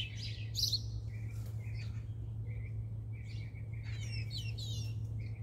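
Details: A blue jay eating peanuts gives quick, high chirps and short clipped whistled notes in loose bursts, over a steady low mechanical hum.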